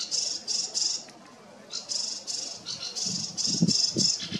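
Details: A sedge warbler perched very close, singing alongside other sedge warblers in reedy waterside vegetation: a fast, scratchy chatter of high, rattling phrases with brief pauses, with low thumps and rustling near the end.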